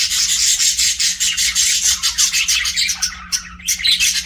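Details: Budgerigars chirping loudly: a fast run of high, buzzy, repeated chirps pulsing several times a second, then a few scattered sharper notes toward the end, over a low hum.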